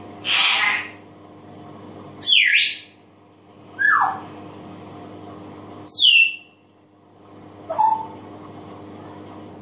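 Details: Pet grey parrot singing and imitating voices, giving five varied bursts about two seconds apart: a harsh squawk, then sharp falling whistles and sweeping notes, over a low steady hum.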